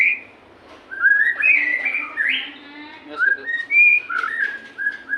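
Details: White-rumped shama with a continuous flowing song of slurred whistles and rising sweeps, and a faint low tone beneath. Used as a lure so captive shamas begin singing.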